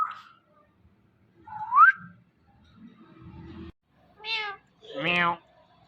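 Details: Indian ringneck parakeet, a pet talking parrot, in a quiet room: a rising whistled note, a soft rustle, then two rich, nasal, meow-like harmonic calls close together.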